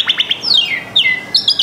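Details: A kept canary, one of several used as tutor birds, sings three quick high chirps, then long descending whistled slurs and rapid trilled notes, bright and high-pitched throughout.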